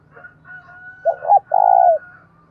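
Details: Spotted dove used as a decoy, cooing to spur other doves to fight: a soft lead-in, then two quick low coos and a long, slightly vibrating coo, with a faint thin steady whistle-like tone running behind.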